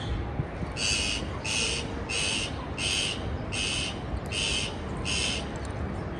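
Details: Harsh, raspy parakeet squawks, each about half a second long, repeated seven times at a fairly even pace against steady low background noise.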